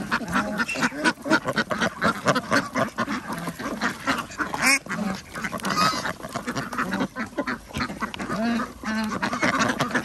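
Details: Farm ducks in Andhra Pradesh at feeding time, with chickens and geese: fast, clipped quacking, about four calls a second from many birds, mixed with knocking and rustling as food is given.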